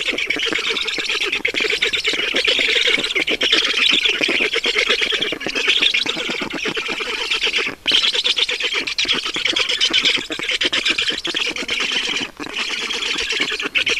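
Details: Black storks at a nest in Estonia on 5 June 2019 at 20:28, as water is brought to the nest; dense, rapid, raspy squeaking calls run almost without pause, strongest in a bright upper band, with brief dips around eight and twelve seconds.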